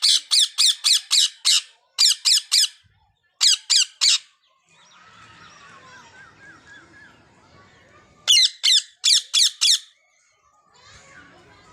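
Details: Rose-ringed parakeets giving rapid series of loud, harsh, grating shrieks, about three per second, in bursts separated by quieter stretches of soft chatter and background noise.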